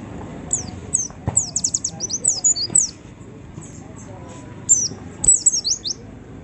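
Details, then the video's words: White-eye lure song for prompting other white-eyes to sing: quick series of high, sharp, downward-sliding chirps in two bursts separated by a quiet gap, over faint low background rumble. "pleci manapun cepat bukpar pancing pleci ini"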